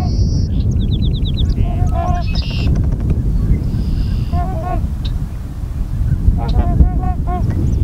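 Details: Sandhill crane taking flight at Tyre, New York, on 19 April: short bursts of rolling, honking calls, about three bursts over several seconds, over heavy low wind rumble, with faint high chirps from other birds.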